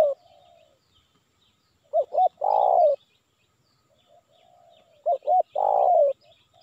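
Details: Spotted dove calling to lure wild birds, Indonesia. Two phrases about three seconds apart, each a pair of quick curved notes leading into a long, strong coo that sinks slightly, with quiet coos in between.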